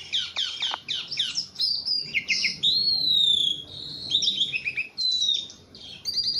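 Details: Very tame Javan pied starling singing energetically: quick scratchy chatters first, then a long pure whistle gliding downward, followed by jumbled squeaky phrases and more sliding whistles.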